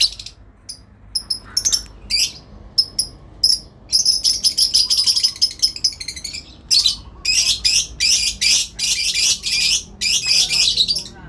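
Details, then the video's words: Lovebird hen's extended ngekek, exchanging calls with a rival: scattered shrill chirps at first, then long runs of rapid, buzzy high-pitched chattering broken by brief pauses. "induk love bird ngekek panjang , saling nyaut memanggil lawan...!!!"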